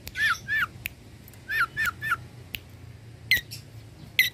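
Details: A long-tailed shrike used for training birds, imitating other species, gives clusters of down-slurred whistled notes, then sharp single chips spaced apart. The bursts are separated by short pauses.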